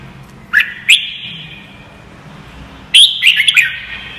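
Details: Red-whiskered bulbul song used as training audio to help young caged birds learn to sing: two short bursts of bright, slurred whistled notes, the second longer and more varied with quick rising and falling inflections, over a faint low hum.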